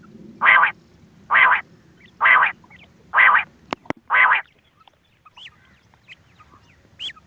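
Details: Quail calling to lure birds for hunting: five evenly spaced harsh, rasping bursts roughly one per second, then near silence with a few faint high squeaks.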